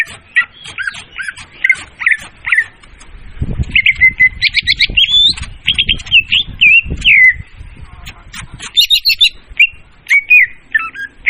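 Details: Leafbird lure song: a busy, varied chatter of quick chirps, trills and whistled slurs, continuous for most of the stretch, over low rumbling background noise.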